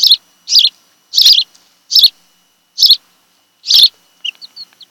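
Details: Osprey calling from a nest on Kent Island, Maryland, summer afternoon of 26 July 2018, nest camera; a steady string of six shrill chirps, spaced about a second apart, with faint squeaks trailing after.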